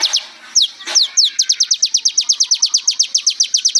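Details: Sunbird (kolibri ninja) tutor song. A few separate downward slurs speed up into a long, even run of quick, piercing descending notes, repeated several times per second.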